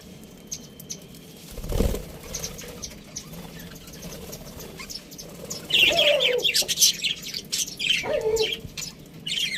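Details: A budgie gives sparse thin chirps at first, then a dull thump, followed by louder bursts of squeaky warbling chatter in the second half.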